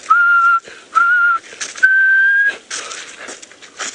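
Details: Black cuckoo at sunrise on 5 January 2018 in Djuma Game Reserve, Sabi Sand, South Africa, wet grass after rain: three clear whistled notes, two short and level then a longer one rising slightly, like 'I'm so sad', over rustling background noise.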